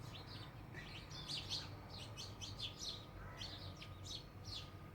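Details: House sparrow, the Marathi chimni, once common around homes and now described as rare, giving a steady run of short bright chirps in rapid overlapping series, possibly several birds, over a low background hum.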